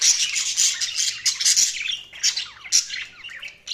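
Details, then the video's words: Budgies chirping in a continuous stream of scratchy warbles, squeaks and fast twitters, busy and overlapping throughout. "Budgies Sounds| Budgies Chirping sound"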